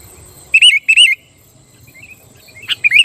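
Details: Sooty-headed bulbul song, given as a call to provoke wild and caged rival bulbuls into singing: two loud bubbly phrases of short warbled notes near the start, then fainter chirps and a final burst of warbling notes.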